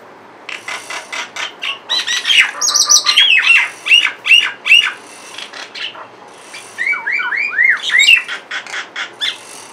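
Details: A couple of mynas sitting on a window grill, calling in a varied run of harsh squawks, clicks and looping whistled notes, several per second, some rising and falling.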